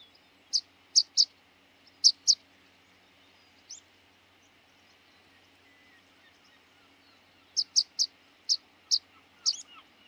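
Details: Rock pipit of rocky seashores calling: short thin high notes in a brisk cluster, a lull of several seconds, then another burst of six or seven sharp chips over a low background hum.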